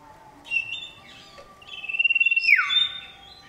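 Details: Male common iora calling to a female: a few short notes, then a long level whistle with a rapid pulsing trill, ending in a sweeping downward slur.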